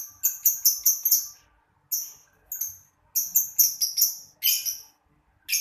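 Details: A pair of lovebirds chirping in the afternoon: sharp, very high-pitched chirps in quick runs of four or five, separated by short pauses, crisp and loud.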